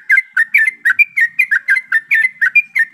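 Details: A flock of yellow-vented bulbuls, recorded to prompt other birds to sing. A steady, cheerful stream of liquid, gurgling whistled notes, roughly four a second, with some overlapping voices.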